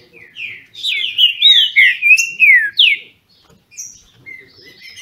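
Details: Captive green-winged saltators in Brazil sing against each other: after a soft opening note comes a loud, fluid string of looping, slurred whistles lasting about two seconds, then quieter, scattered high notes.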